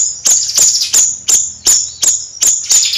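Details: Bayeman bird repeating sharp, ringing high notes nearly three times a second in a steady, insistent rhythm.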